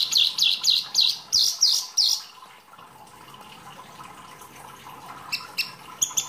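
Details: Wambi, a seldom-kept songbird, in lively masteran song: a fast train of seven bright, shrill notes over two seconds, then a quieter stretch and a few scattered high chips, with faint background hiss.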